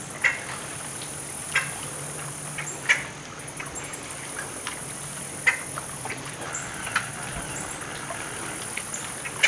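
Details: A grackle at Circle B Bar Reserve gives short, harsh chack notes every one to two seconds over a steady low hum of distant traffic.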